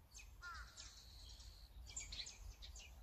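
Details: Azure-winged magpie, recorded in Korea: a brief harsh, descending rasping call near the start, with thin high whistled notes from other birds and a steady low rumble of background noise.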